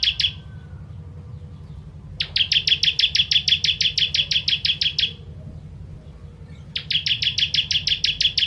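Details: Ciblek, the Bar-winged prinia, delivering 'tembakan pedas' song for tutoring other cage birds: fast trains of sharp, high, identical notes in bursts of about three seconds, separated by short pauses, with a constant low background hum.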